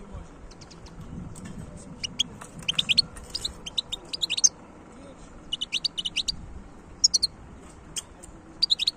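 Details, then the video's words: Wild European goldfinch song: scattered clusters of quick, high, tinkling chirps and twitters, separated by pauses of about a second, against a faint background hum. "تغريد حسون خلوي"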